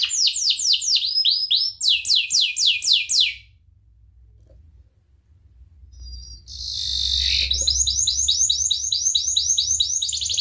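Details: Canary singing, a training recording used as a master song for teaching other birds: fast repeated descending sweeps in tight phrases, a pause, then a buzzy rolled note and a long rapid trill of downslurred syllables.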